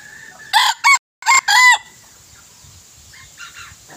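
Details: Young male decoy junglefowl, recorded 21 May 2023, crows in a loud, harsh burst of four broken syllables within about one and a half seconds, the last one drawn out. Faint crowing follows in the distance over a steady high hiss.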